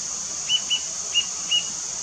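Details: Rufous-tailed jacamar in Atlantic Forest at Triunfo, Rio de Janeiro, Brazil, gives five short, sharp, high notes at uneven intervals over a steady high insect drone.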